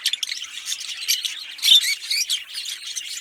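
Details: Green pair of Fischer's lovebirds giving fast, shrill chirps and short squawky notes in quick irregular bursts, with one sharper, louder squeak just past the midpoint.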